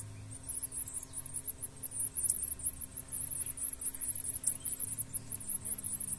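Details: Blue-black grassquit chicks being fed by a parent pair: very high, thin squeaky notes repeated rapidly, about five a second, in a steady wavering chorus, over a low background rumble.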